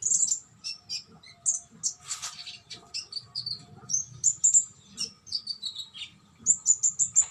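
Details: Konin bird in sustained song: rapid strings of high, piercing chirps and whistled notes, with some falling phrases and a final run of evenly repeated sharp notes, faint low hum behind.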